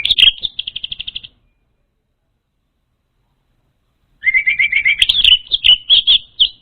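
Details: Orange-headed thrush song played to lure an untrained bird: a rapid trill of identical high notes, a silence of about three seconds, then a lower trill flowing into varied high twittering notes.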